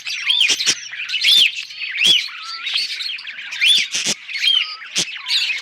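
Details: Contented budgerigar warbling: a busy stream of chirps, burbles and short upslurred whistles punctuated by sharp clicking ticks, roughly one or two accents per second.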